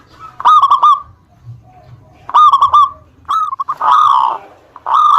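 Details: Local zebra dove from Indonesia in active song, meant to make rivals respond: two quick rolling bursts of fluted coos, then longer, rougher drawn-out notes.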